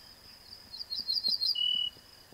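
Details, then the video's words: An Ortolan Bunting sings a ringing strophe: a quick run of five or six rising high notes, then one lower, drawn-out falling note, over a thin steady high hum; strophes are separated by very long pauses. "Ortolan śpiew"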